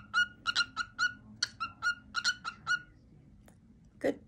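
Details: A male pet cockatiel gives a short stretch of his daily favourite song: about a dozen crisp whistled notes at a steady pitch, then silence and a single low sound at the end.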